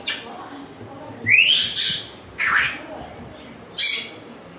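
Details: Rising whistles from an African grey parrot run into harsh screeches, with three or four separate bursts across about four seconds.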